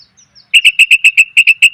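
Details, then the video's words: Female sooty-headed bulbul calling to attract males: after faint high notes, a rapid even string of about ten bright, clipped chirps, closely spaced and loud. "suara pikat burung kutilang betina,TOP bangat memanggil pejantan"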